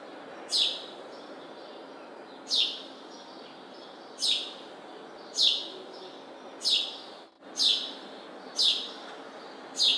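House sparrow giving single sharp, bright chirps that drop in pitch, about one every second or two, over a steady low background hiss.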